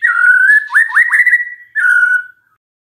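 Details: Magpie-robin song played as a lure for a silent bird, a clear sustained whistle broken by three quick upswept notes, then a final falling whistle.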